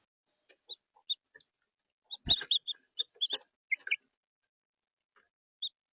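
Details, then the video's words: Red house finch in central Florida: short bright chirps around four kilohertz in loose bursts, a dense cluster of overlapping notes near the middle, then a lone chirp at the end. "Red house finch’s central Florida"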